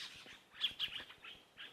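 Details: Fork-tailed Drongos alarm calling and mobbing a spotted eagle that flew off a riverbank at sunset in the Rietspruit Game Reserve, South African Lowveld, in May: a racket of harsh, scratchy, high chirps, about five bursts in under two seconds.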